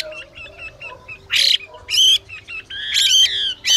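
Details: Harsh calls of a female Chinese hwamei, used to excite a male into song: soft scratchy chatter, then loud grating squawks about one second long, irregularly spaced.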